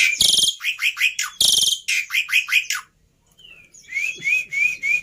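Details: Black-winged myna singing in a tutor and lure recording of song phrases meant to be easy to copy: two harsh, broadband rasping bursts, each followed by a run of short rising whistled notes, then a brief pause and more upslurred whistles.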